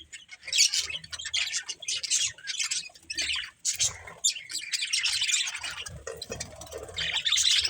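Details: Pet budgerigars chirping: a dense, continuous chatter of high squeaky warbles and scratchy notes, several birds overlapping, with low thumps and rustling underneath.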